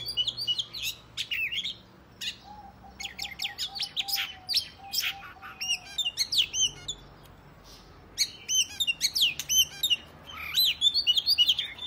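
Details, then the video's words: Oriental magpie-robin fighting song to provoke rival males: varied whistles, sharp chips and rattling notes in irregular bursts, with a faint wavering lower tone in the background near the start. "Kacer gacor tarung ngobra dijamin Kacer lain langsung ngeplay Buka Ekor !!"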